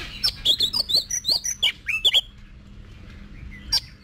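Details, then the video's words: Competition-trained Oriental magpie-robin delivering a quick run of bright whistled and chirped notes for about two seconds, sliding and rising, followed by near silence broken by one faint note and a final sharp chirp. "Luyện Giọng Cho Chòe Than Hót Đấu"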